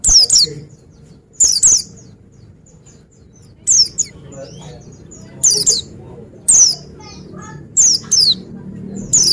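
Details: Pleci, the Oriental white-eye, gives loud, high, descending chirps in short clusters of two or three, repeated roughly every one to two seconds, with soft faint twitters between bursts.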